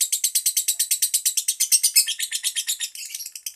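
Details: Pet lovebird producing a quick run of harsh, squeaky chirps at an even pace, turning more ragged and uneven toward the close, heard indoors without background noise.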